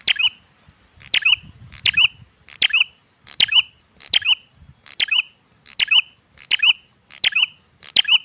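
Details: A male bar-winged prinia sings eagerly, giving about eleven emphatic, squeaky chirped phrases in steady rhythm, roughly one every 0.75 seconds, each a bright, ringing, slightly downslurred note; little else is heard apart from faint low rustling.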